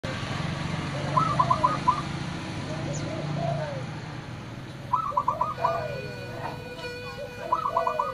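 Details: Local zebra doves used as a lure to draw in other doves, giving soft rolling coos in short bursts around one and five seconds, then again near the end, over steady low background hum and a faint tonal drone.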